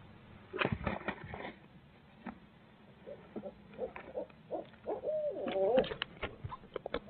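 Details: Barred owl at its nest in Midtown Tulsa, where the pair share parenting duties: a wavering, hooting call of about half a second near the five-second mark, preceded by scattered knocks and rustles over a low steady hum.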